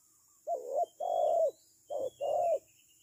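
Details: Spotted dove used as a decoy bird for trapping, giving paired coos: a short coo followed by a longer, slightly rising then falling one, repeated twice in quick succession.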